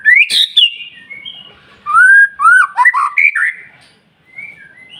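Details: White-rumped shama in morning song meant to set other birds singing: an abrupt harsh high burst, then sweet, slurred whistles rising and falling in a smooth phrase, fading into soft, short whistles.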